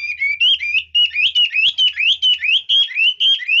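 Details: Red-whiskered bulbul singing with changing phrases and fine delivery: a rapid, continuous series of bright rising whistled notes, about two per second, warbling throughout.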